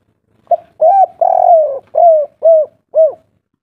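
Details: Javanese spotted dove, a local wild bird, giving its kuk 3 style song: a short note, then a long, full coo, followed by three evenly spaced, rounded coos that fall slightly at the end. The background is quiet.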